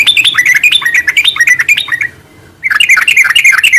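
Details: Sooty-headed bulbul in full gacor ngeropel song, a continuous stream of varied chirps and slurred whistles that breaks off into a short silence before resuming as dense, rapid, chattering phrases.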